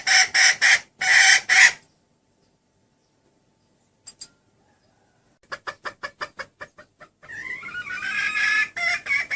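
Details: Red junglefowl (Gallus gallus) hen gives loud, harsh clucks in quick bursts, then rapid clicking notes and a long, drawn-out raspy call. She is calling to attract the male, who comes to her right away. The call is used as a lure for hunting.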